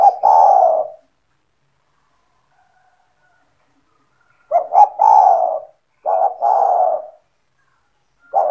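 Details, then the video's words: Owner's spotted dove (tekukur), a strong caller used to entice other doves to sing: a trailing coo, then two phrases close together of short double notes and long mellow hoots, and a new phrase starting at the end. "SEMUA TEKUKUR / DERKUKU AKAN TERPIKAT DENGAN SUARA TEKUKUR GACOR INI"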